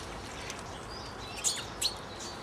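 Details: Two brief, high, sharp calls from a lesser redpoll, an uncommon visitor to garden feeders in West Wellow, Hampshire, about half a second apart, over a steady background hiss.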